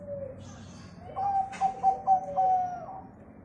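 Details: A local zebra dove, kept to coax other birds into singing, gives a phrase of rapid clipped notes ending in a long level coo, a soft lower coo beforehand and a brief click mid-phrase.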